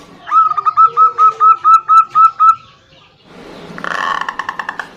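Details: Female zebra dove calling to a male, answering a loud local male: a series of about ten clear, evenly spaced cooing notes with a hooked rise, then a burst of broad rasping noise with quick clicks.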